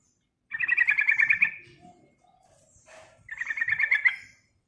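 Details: Yellow-vented bulbul singing loud rolling phrases to attract and stimulate other birds: two bubbly, rapidly pulsed trills about a second each, separated by soft low notes and a faint rustle.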